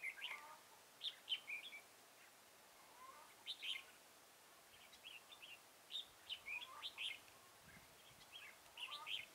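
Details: During a red-whiskered bulbul trapping session at Chùa Hương, Mỹ Đức, on 11 November 2017, repeated bright, whistled and warbled phrases come in clusters, separated by short pauses. A faint low thump is heard near the end.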